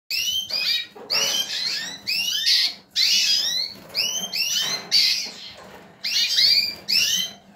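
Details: Male yellow mosaic lipochrome canary born in 2018, singing bursts of high swooping, downward-sliding notes stacked in quick series, each burst lasting about a second with short gaps, over a faint low hum.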